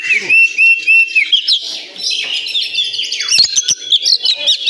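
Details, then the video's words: Oriental magpie-robin singing at a songbird contest area in Indonesia: clear whistled notes repeated, then a rich, varied run of rapid chirps and trills with sharp upward sweeps, other birds possibly singing nearby. "Suara kacer di area lomba"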